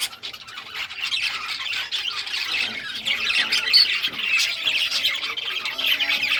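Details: Several budgerigars of rare colour varieties playing with toys, 18 June 2023: a steady, dense mass of warbling chatter and scratchy squawks, building slightly in loudness, with a few thin whistled notes.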